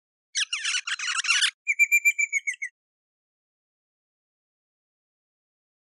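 An eastern rosella gives a harsh chattering burst, then a quick run of clear, ringing whistled notes.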